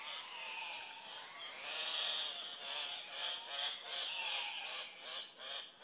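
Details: Dawn lek of Andean cock-of-the-rock, twelve to twenty males displaying to draw the attention of drab females; loud, rasping screams overlap continuously, swelling into stronger bursts from the middle of the recording onward.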